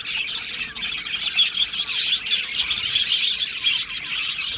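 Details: Colony of budgies in an aviary giving a tangle of shrill squeaks, short squawks and rapid chirps, many birds calling over one another in a constant high-pitched babble.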